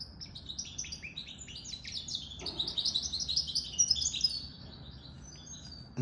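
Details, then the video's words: Rapid twittering song from a goldfinch mule (goldfinch crossed with canary), a bird said to be out of the moult: dense strings of high, slurred chirps that build into a busier, louder burst midway and then fade. "Goldfinch mule sirwitty bird"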